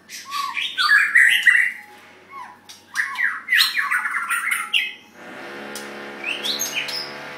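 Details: White-rumped shama being considered for a Sunday singing contest; varied, rich whistled phrases, some rising and sliding, in quick bursts, then a steady low hum sets in with a few high notes above it.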